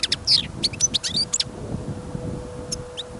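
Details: A caged goldfinch on a snowy, windy trapping outing gives a brief twittering phrase of quick chirps and slurred whistles in the first second and a half, then two soft notes near the end over wind rumble.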